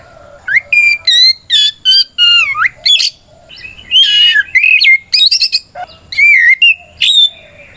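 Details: White-rumped shama in rich fighting song to bait rival shamas into answering: rapid strings of clear whistles, downward swoops and harsh chattering notes, delivered in quick bursts with short gaps.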